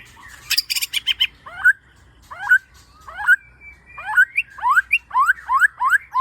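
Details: White-rumped shama song used as a lure for kept birds: a buzzy chatter, then clear upward-swooping whistles repeated about every second that get faster toward the end.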